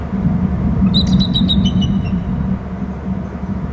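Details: Eagle at a nest and territory on Hornby Island, one of two birds calling near the nest: a rapid series of high, thin, chittering piping notes lasting about a second, over steady low hum.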